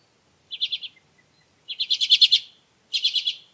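Common Redpoll giving three bursts of rapid, dry, buzzy chatter, each a quick run of high notes, the middle burst longest; no other sounds.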